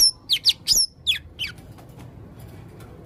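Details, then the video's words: Male blue-crowned hanging parrot giving five or six sharp, high, descending squeaky chirps in quick succession, then a quiet pause before one more note. "burung serindit jantan gacor full suara aneh"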